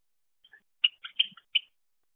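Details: Pet Java sparrow at midday, 25 May, while eating lunch, gives a quick run of five or six sharp high chips and twittered notes within a second, with a faint soft knock in a quiet room.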